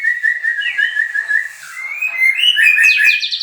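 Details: White-rumped shama from captive breeding, singing clear whistled notes near one pitch in a steady run, then rising slurs and a quick burst of higher, sharper, varied phrases with a few dry clicks.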